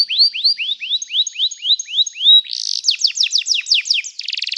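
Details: Canary song for training: a steady series of curved rising whistles about four per second, a buzzy burst, then sharper rapid notes ending in a fast trill.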